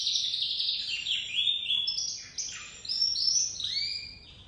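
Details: Crested white domestic canary chick starting its song, giving a continuous high, buzzy warble of slurred whistles that rise and fall, ending in upward-sweeping notes.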